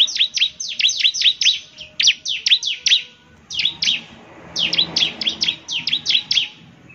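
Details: Song of a bar-winged prinia, used to get other prinias to respond, made of quick clusters of sharp, high, downslurred chirps with brief gaps between phrases.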